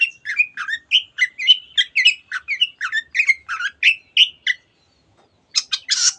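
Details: Long-tailed shrike singing to excite other birds into song: a fast series of short, varied chirps and slurred whistles about twice a second, a pause, then a few harsh buzzy notes.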